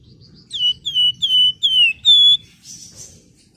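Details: Female flamboyan calling to a male: a series of five clear, ringing whistled notes, each sliding down and then levelling off, about one every 0.4 seconds, followed by a short soft buzzy rasp.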